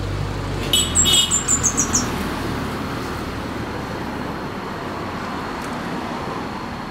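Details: A fire-breasted flowerpecker in the wild sings a short series of high, thin notes, partly masked by steady traffic-like rumble.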